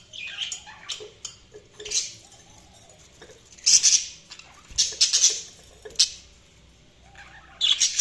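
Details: Budgerigars chirping in irregular bursts: soft twitters, then sharper high scratchy chirps in clusters, with faint tapping and quiet gaps between calls.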